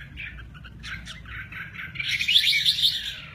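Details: Red-whiskered bulbul with a lively wing display, uttering soft broken chirps that build into a louder, busy warbling burst, over low background hum.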